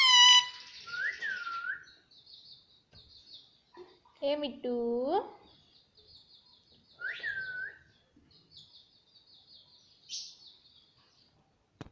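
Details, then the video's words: Pet talking parrot saying "mummy" indoors. Sliding whistles and voice-like syllables with bending pitch are mixed with a faint chirping in the background. "Mummy Bolne wala tota"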